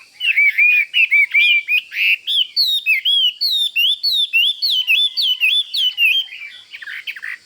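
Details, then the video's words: Caged Chinese hwamei, a fighting bird that pecks its cage when close to a rival, sings loud whistled phrases of slurred rising and falling notes. Bursts repeat almost twice a second, rich and varied, with a quiet background. "Họa Mi Mộc Máu Chiến Cứ Gần Là Mổ Lồng"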